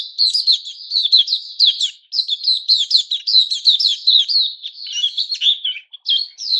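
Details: During its moult, a white-crowned shama, called Puteh Raja locally, sings on 6 September 2021 a long, rich sequence of rapid whistles and chattering notes, steady and nearly continuous throughout.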